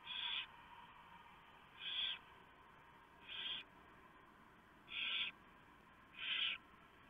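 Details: During a nighttime prey delivery at a barn owl nest, 3 November 2015, the female shreds a huge mouse for the owlets; five coarse, hissing screeches at irregular intervals of roughly one to one and a half seconds.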